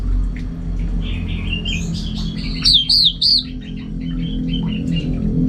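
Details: Kept orange-headed thrush from Singaraja, North Bali, singing soft scratchy warbles that build into a few loud, high looping whistles midway, then trail off into quieter chatter over a persistent low hum.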